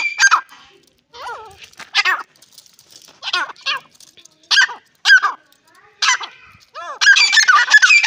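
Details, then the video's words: Grey francolin, described as the Dakhani type, giving loud harmonic calls in short bursts. The notes arch and sweep, separated by brief silences, and a denser burst of squeaky notes closes the sequence. "teetar ki awaz teeter ke voice"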